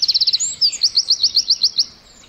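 A Eurasian wren sings a loud, high, rapid burst: a fast string of sharp notes, then a trill of about ten ringing chips at roughly six per second.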